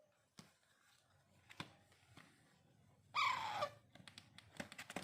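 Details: A single loud, harsh squawk with a falling tone, about half a second, from a hand-fed Alexandrine (Pahadi) parakeet chick during daily handfeeding, among soft clicks and handling noises indoors.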